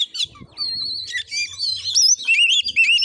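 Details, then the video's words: Oriental magpie-robin singing while fighting in a village in Muko Muko, Bengkulu, Indonesia: a sustained whistle, then sharp rising and falling notes and quick twittering phrases, with faint low background noise. "Kacer tarung|pancingan Kacer gacor|Kacer Konslet"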